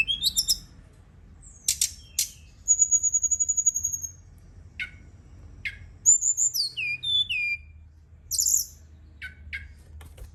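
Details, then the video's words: Night-time lure song of a Brown-chested jungle flycatcher, meant to stimulate singing. It opens with scattered sharp chips, then a fast high rattling trill and a series of bright, downward-slurred whistles, with brief pauses between phrases. "Pancingan & Terapi Burung SRDC dimalam hari biar tambah GACOR & CEPAT NGEPLONG"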